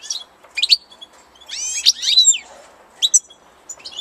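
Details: European goldfinch in spring giving scattered song phrases: short tinkling and buzzy twitters in clusters with brief silent gaps between them.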